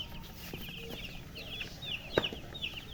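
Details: Just-born chicken chicks peeping loudly, a quick run of high, thin downslurred chirps following one another closely, with a sharp knock partway through.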